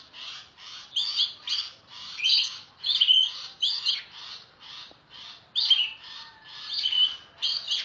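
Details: Oriental magpie-robin, loud, used to train songbirds: a steady run of short scratchy, chattering notes with occasional sharp whistled accents, repeated in quick succession throughout.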